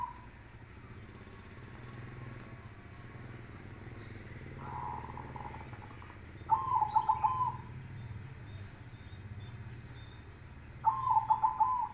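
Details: Zebra dove, Silver and Cemani Kolbuntet Trex varieties, in song contest: two bursts of pulsed cooing phrases several seconds apart, each a rapid run of rolling coos, with a fainter earlier coo and faint high chirps.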